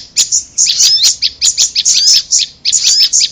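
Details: Prinia calls from a bird-luring recording that also features a bird locally called korlap: sharp high chirps in quick irregular bursts, with short rising whistled notes woven between them.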